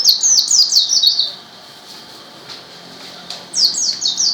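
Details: White-eye in lively gacor song: rapid runs of very high, thin descending notes in the opening second, a quiet pause, then another quick burst of the same slurred high notes near the end.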